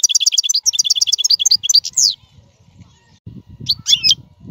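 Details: European goldfinch singing a strong, error-free song used to teach caged fledglings: two seconds of quick repeated twittering notes ending in a sharp slur, then low rumbling noise and one final chirpy phrase.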